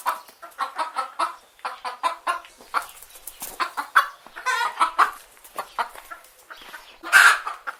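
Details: Chicken hens clucking in a steady stream of short broad-band clucks and cackles, several birds overlapping, with a louder squawk near the end.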